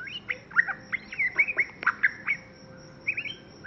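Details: Young white-rumped shama already showing the quality of its song: a quick run of short chirped and sweeping notes, a brief pause, then a few more rising notes, over a faint steady high-pitched hum.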